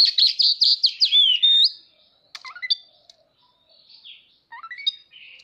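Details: Displaying Oriental magpie-robin, tail spread, delivers a rapid run of sweet whistled notes and a long rising whistle, then pauses before short scattered chips, slurred downward whistles and a final quick burst of notes.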